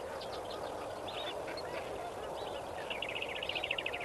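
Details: Lesser flamingos massed at Kamfers Dam at sunrise, 18 May 2024, giving a steady honking chorus; near the end a rapid, stuttering run of quick nasal notes repeats about ten times above the flock noise.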